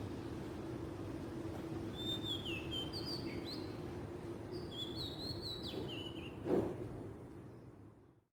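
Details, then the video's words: Oriental magpie-robin song recorded in the wild in Southeast Asia: bursts of sweet, sliding whistled notes in short phrases, a sharp knock near the end, steady low background hum throughout. "kicauan burung kacer di alam liar"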